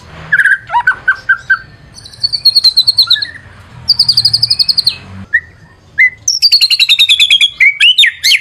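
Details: Lively white-rumped shama song used as a lure: short whistles and trills, then high, thin rapidly repeated notes in bursts, ending in a high descending series of whistles.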